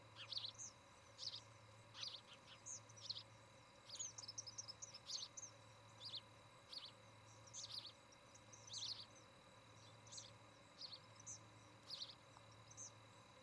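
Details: Osprey heard from its nest near Charlo, Montana, on a nest camera on an August 2018 evening. Bright, high chirps repeat about once a second in quick pairs and triplets throughout, over a constant low hum.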